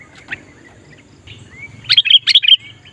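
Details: Sooty-headed bulbul calling to lure wild bulbuls: a brief bubbling phrase of five or six whistled notes near the end, with soft slurred whistles and a faint low hum earlier.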